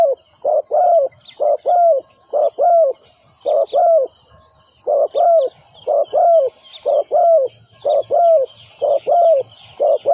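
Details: Spotted dove kept as a trapping decoy, cooing to bring in wild doves: a long regular run of paired low coos, each a brief note followed by a longer descending one, steady against shrill insect background.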